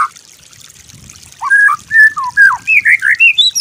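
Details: White-rumped shama master song for imitation: after brief quiet, rich fluty whistles, swooping up and down, then a string of rising looped notes climbing higher to the end.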